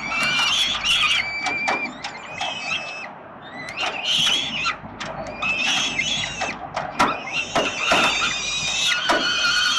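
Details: At the 367 Collins site in Melbourne, Australia, peregrine falcon young beg while the father brings food, 30/10/2021; dense overlapping screeches and rasping wails with sharp clicking, nearly continuous, with a brief lull near three seconds.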